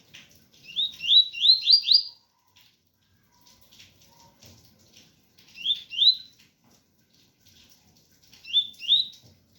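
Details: Double-collared seedeater singing pure tui-tui style song with rain sound: a fast burst of four rising slurred whistles, then two shorter phrases of two to three rising notes spaced a few seconds apart, soft patter between.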